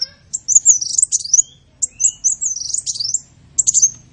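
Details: High-pitched sunbird song meant for training songbirds: jumbled squeaky chirps and short rising-falling notes in three main bursts with brief pauses between them.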